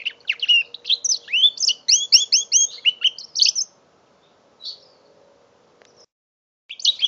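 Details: Five-month-old mule canary delivers a rapid repeated warble of paired chirping notes for three and a half seconds, falls silent apart from a faint note, then starts singing again; recorded November 2011 on a phone.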